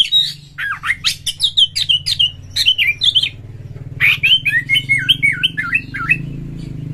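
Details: Oriental magpie-robin song used to stimulate other birds to sing: rapid jumbled whistles and zigzagging notes, a short pause, then a rhythmic series of repeated looping whistles, over a steady low engine-like hum.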